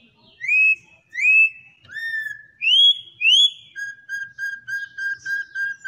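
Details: Campo troupial from Brazil singing the classic-style song: loud rising whistled notes with bright overtones, then a rapid run of eight short level whistles at the end.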